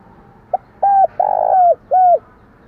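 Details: Spotted dove used as a decoy bird, giving its lure coo: a short soft note, then a long, loud, steady coo and a final falling coo, all low and hollow.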